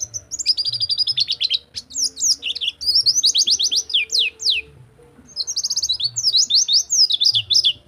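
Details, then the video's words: White-eye delivering a rol tembak song for training silent white-eyes: dense fast trills of sharp repeated notes, a brief gap near the middle, then another rapid descending burst. "Masteran Pleci Rol Tembak Untuk Pleci Macet Bunyi"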